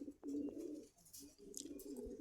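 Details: Two murmuring, bubbling coos from pigeons on sale at a market in Khilgaon, Dhaka, split by a brief gap, low and throaty, with soft rustles and distant hiss in the background.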